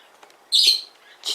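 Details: Hand-raised sun conure chick, newly arrived at a pet shop in Fukuoka, Japan, after its first feeding: one loud harsh high squawk lasting about a quarter second, with faint clicks before it.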